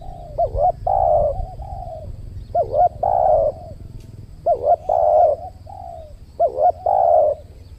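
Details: Spotted doves cooing while a trained decoy lures a wild bird at a new site in Riau Islands, Indonesia; four rhythmic phrases, each a short wavering double note then a drawn-out mellow coo, over low background hum.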